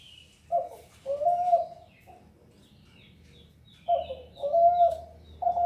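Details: Zebra dove coos in short bursts, a clipped note followed by a longer held tone, repeated twice, while other birds chirp and whistle higher overhead.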